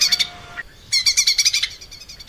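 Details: Vigorous song of a lesser green leafbird, kept as tutor material for cage birds: a short high trill, a brief pause, then a bright run of fast sharp chirps that fades into softer twitters.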